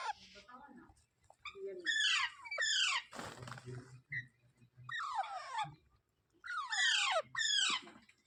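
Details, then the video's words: Parrot repeating harsh, descending screeches in pairs, interrupted by a burst of broadband rustling and low humming, then more loud paired squawks. "Natural Parrot Sounds"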